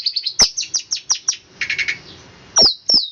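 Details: Fast 'roll speed rapat' song from a long-tailed shrike: a quick patter of high chips, a short rasping burst, then two loud whistled notes that slide downward.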